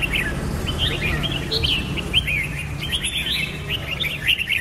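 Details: Rapid chirping and warbling whistles from a Red-whiskered bulbul run almost without a break, with loud trills and slurred notes over a faint low drone.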